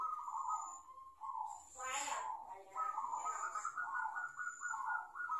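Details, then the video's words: Young zebra dove learning to coo, caught by trapping with a lure, repeats purring trilled phrases almost continuously, interrupted once by a short burst of human speech. "SUARA PERKUTUT BELAJAR MANGGUN"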